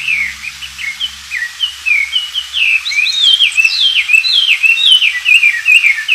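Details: Wild Oriental magpie-robin in lively song, a training recording for white-rumped shamas. Steady stream of varied whistles: short slurs at first, then a denser burst of high swooping notes and downward-sliding phrases.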